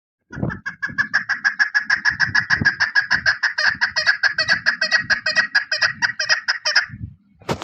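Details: Female chukar partridge calling, the kind used for hunting: a fast, steady series of sharp clucking notes, about two per second and more, running for six seconds, with soft low rustles underneath.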